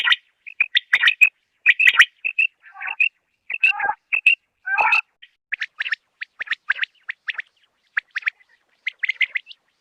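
Common quail calling in short, high, clipped notes, some squawky and harsh, then quick clusters of bright chirps repeated in uneven bursts.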